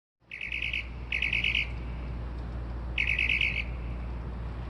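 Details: Unidentified bird singing at 2:30-3:00am, said to mimic car alarms, sparrows and other familiar sounds; three bursts of rapid, buzzy, high trilled notes, with a gap before the third, over a steady low hum.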